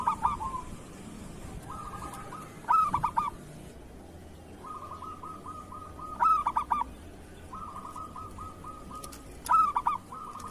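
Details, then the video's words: Zebra dove, local bird, in kerot song for training other doves: about three short bursts of choppy, harmonically rich coos, spaced roughly three seconds apart, with long level runs of quick soft notes between them. "Suara perkutut lokal masteran perkutut kerot"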